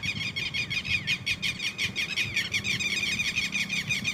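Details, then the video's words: Red-wattled lapwing babies peeping: rapid, high-pitched, twittering notes repeated nearly three times per second in an even, continuous run, with faint low background rumble. "Red wattled (Titehari)Baby|Bird sounds|Cute Titodi Baby|"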